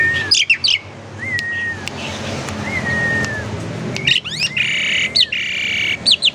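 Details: Kept Asian pied starling from a friend's collection, used as a lure song to get other birds singing: clear whistled notes around a steady pitch mixed with quick chirps and buzzy bursts, over low background rumble.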